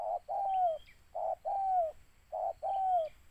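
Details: Spotted dove pursued as a lure target, repeating a two-part call three times: a brief gruff note followed by a longer mellow coo that slides downward, spaced roughly a second apart, a thin high whistle faintly behind.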